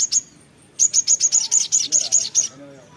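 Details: Little spiderhunter, known locally as sogon, in lively song. Two quick high notes and a pause, then about eleven rapid, shrill, evenly spaced notes delivered in under two seconds.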